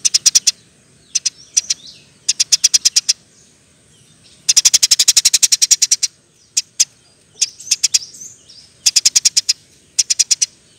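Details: Eurasian tree sparrow in energetic 'ngeroll nembak' song, a recording intended for tutoring other birds. It gives irregular bursts of quick, sharp chirps: short groups of three to eight alternate with single notes, and the longest volley carries about fifteen chirps.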